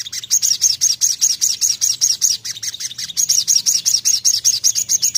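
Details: Continuous song from a sogon: a rapid, steady sequence of shrill high chirps, each note short and sharply slurred, running without pause for five seconds.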